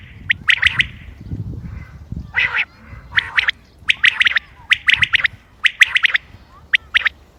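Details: Common quail recorded 28 May 2025 for quail hunting: repeated bursts of two to four sharp clipped notes with brief rasping sounds between, over low rumbling background noise.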